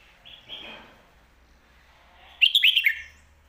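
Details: Red-whiskered bulbul used in professional singing competitions, alternating lak wai and mae bot styles: soft warbles and a rustling sound first, then a loud, fast four-note phrase with clear, descending chirps.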